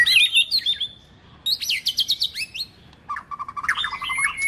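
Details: White-rumped shama song used to train birds, with the female said to sing to excite males: three separate varied phrases of high whistles, quick chattering notes and lower bubbling notes, with pauses between.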